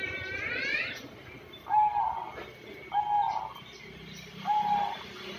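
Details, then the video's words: A zebra dove of the banyumili type, kept for six years and said to sing when called, gives three soft, hollow mid-pitched coos about every one and a half seconds after a brief rising whistle, over faint hum. "perkutut katuranggan banyumili gacor bisa di panggil"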